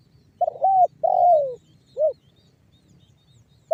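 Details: Trained spotted dove (tekukur) used as a lure, singing the banggo bocor style meant to prompt other doves to call: one low hoarse phrase of a short coo, two longer falling coos and a final short coo, then quiet.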